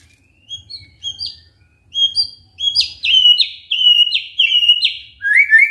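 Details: Magpie-robin song meant to get a silent bird singing: soft rising whistles that build into a series of loud, high, slurred notes repeated about every half second, with a faint low rumble.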